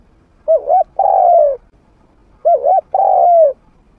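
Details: Trained spotted dove decoy with a mid-pitched voice, played to draw in wild doves: two phrases about two seconds apart, each a quick wavering double hoot then a drawn-out descending coo.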